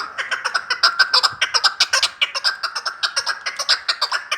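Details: Chukar partridge from Vanj: a fast run of clucking chuck notes, about two to three per second, uneven in spacing and loudness, with no other clear sounds.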